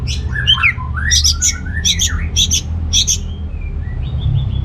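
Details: Anis merah, the orange-headed thrush, singing to prompt under-motivated males into breeding condition: rising slurred whistles open, then bursts of sharp high chipping notes, ending in thin sustained whistles, with low background hum.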